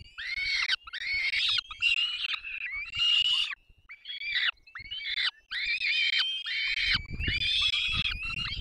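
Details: Peregrine falcon chicks at a nest in the Barycz Valley, Poland, on 3 May 2024, being fed by both parents; harsh, high, rasping squeals come in dense bursts with short gaps between them.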